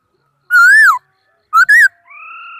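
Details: Laughingthrush in song, 2018: a long whistled note that rises then drops, a short pair of rising whistles, then a steady two-toned hum.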